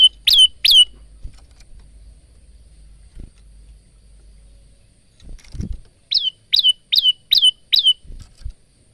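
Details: Male bar-winged prinia singing near a phone recorder: two sharp downslurred chirps, a quiet gap with faint knocks, then five rapid high notes in a row.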